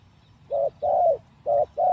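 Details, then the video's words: Captive spotted dove used as a decoy for trapping, out of its mixing cage for only three days: four low, hollow coo notes in a short burst, the second note longer and slightly falling, with a faint background hum. "ต่อนกเขาใหญ่ เชลยเสียงดีครับ"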